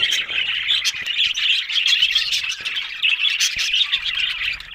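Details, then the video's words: Several budgerigars warbling and chirping together, a steady scratchy babble that swells and dips in waves. "Amazing Talking Happy Budgies Sounds"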